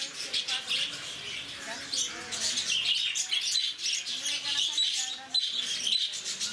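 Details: A flock of lovebirds at Bannerghatta Zoo, Bangalore, squawking and chirping shrilly without pause while visitors talk nearby, their voices clearly heard below the high, scratchy bird chorus.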